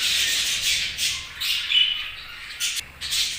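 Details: Chattering budgies give a steady stream of buzzy, scratchy chirps and short squawks, pausing briefly near the end before resuming.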